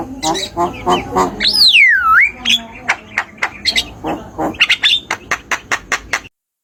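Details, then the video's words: Javan myna (jalak kebo) played as a tutor recording for cage birds that have stopped singing: harsh squawky chatter, a loud swooping whistle falling then rising, then a fast series of short clicks and chips. "Suara jalak kebo"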